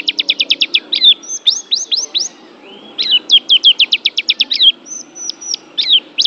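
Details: Song of an Oriental white-eye from Banten, billed as an Asian champion: quick bursts of about eight evenly repeated high chirps alternate with slurred whistled notes, forming a lively, clear twittering sequence.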